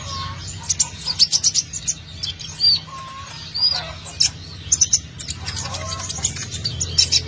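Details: Sunbird in full song, meant as a lure to attract birds: rapid clusters of sharp, very high chirps and trills, a few slurred whistles, against a constant low rumbling hum.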